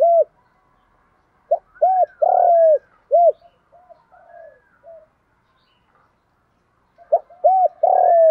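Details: Spotted dove, a kept decoy bird singing in the thổ pha thúc voice style to lure wild doves to the fighting perch: two groups of deep, hollow coos, short notes leading to a long drawn-out falling coo, with a pause between groups.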